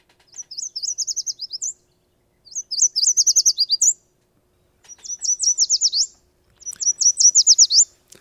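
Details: In spring in Wisconsin, a Yellow Warbler sings four bright, high, sweet phrases, each about a second long with pauses between: quick repeated notes, then a little warble at the end ("sweet, sweet, sweet, I'm so sweet").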